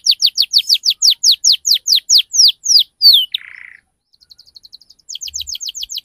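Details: Canary lure song for teaching young canaries the ngriwik cuit-cuit sound: a run of about thirteen loud downward-sweeping whistled notes, then a short buzzy rattle, faint rapid ticks, and another series of sweeping notes.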